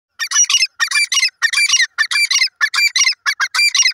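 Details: Grey francolin, known locally as dakhni teetar, calling loudly. Harsh, rasping multi-note phrases are delivered in quick bursts of about half a second, roughly seven groups in four seconds, against a silent background.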